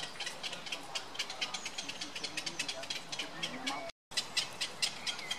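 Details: Black-crowned night heron chicks beg while being fed, with a fast, dry ticking chatter, several clicks a second, broken by one brief pause.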